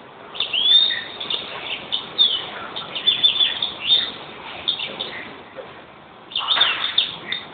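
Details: Sustained twittering song of a European greenfinch: a long chain of high chirps and short trilled notes for about five seconds, a brief pause, then a fresh burst of chirping.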